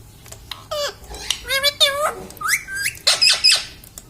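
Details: Talking pet parrot in a small room: rapid speech-like syllables with rich, nasal harmonics, some rising sharply and others falling, packed closely over four seconds, with brief scratchy high bursts between them.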